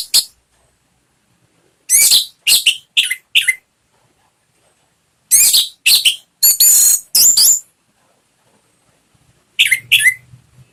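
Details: Lure song of an orange-headed thrush meant to prompt a caged bird to sing: clusters of harsh, high, scratchy notes, each burst ending in a lower whistled slur, with long pauses between groups.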